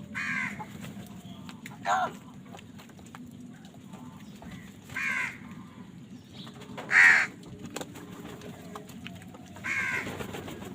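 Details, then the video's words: Crows fighting for food call repeatedly: several rough, harsh caws spaced two to three seconds apart, the loudest near the seventh second, over low steady background noise. "কাকের ডাক Crow Sound Crow ki Awaz Loudly | Crow bird Fight for Food"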